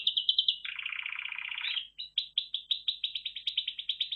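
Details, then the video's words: Red factor canary: a quick high trill gives way to a lower churring roll, then a series of crisp repeated chips about five per second, with a faint low hum behind. "Red Factor Canary Finch Singing Exhibition"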